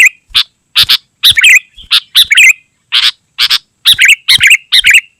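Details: Sooty-headed bulbul in dense, nonstop 'gacor' song, used to lure wild bulbuls and tutor caged birds: loud bubbly whistled phrases in quick bursts about every half second, some rising and warbled, no other sounds.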